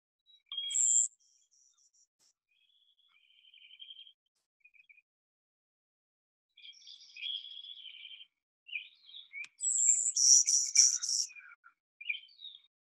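Golden-winged Warbler: thin, high buzzy phrases, ending in a run of rapid, evenly spaced buzzes; a few sharp high chips in between.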